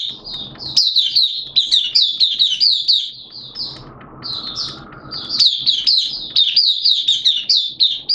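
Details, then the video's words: Oriental white-eye kept as a hobby bird, recorded 11 September 2022 in wet, erratic weather. Long, lively high-pitched warbling with dense twittered notes, interrupted midway by a steady background hiss. "Mata Puteh T-Rex Buka Sing"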